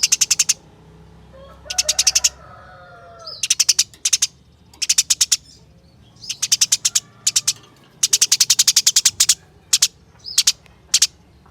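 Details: A house sparrow kept in a cage for songbird competitions sings many rapid bursts of high, dry chirps, some runs rolling long and dense, others short, with a faint low hum in the background.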